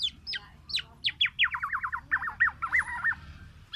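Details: Black-naped oriole (kepodang emas) giving a fast run of short, sharply downslurred whistled notes, about three per second, that turn into lower, looping slurred phrases. A faint low hum runs underneath.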